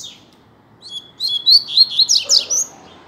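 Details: Double-collared seedeater in a captive song contest, delivering one accelerating phrase of sharp, high whistled notes that build into bright, buzzy slurs before ending abruptly, over a faint background hum.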